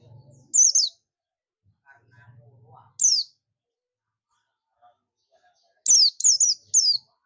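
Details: Calling for companions, a buxtomi Oriental white-eye gives a lone high falling chirp, another three seconds later, then a fast string of four descending chirps; low humming and faint voices between.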